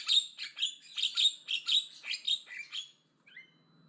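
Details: Loud, aggressive song of a Javan myna: a fast series of about a dozen harsh, scratchy, buzzy notes delivered almost evenly for three seconds, ending abruptly with a short squeaky call.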